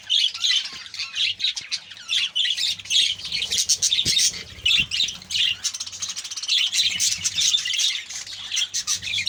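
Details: Budgie colony in captivity, a crowd of birds producing loud, continuous warbling chatter with rapid squeaks and squawks, swelling and dipping in waves.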